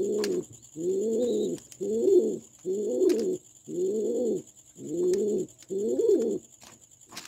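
A pigeon gives low, throaty cooing notes, about seven in a row at a steady pace of roughly one per second, each a soft rolling burble.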